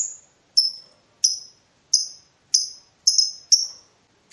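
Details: Provoking call of a lovebird in breeding mood, seeking a rival: crisp, high chirps, each falling slightly, repeated steadily about every half second, some in quick pairs, over a quiet background.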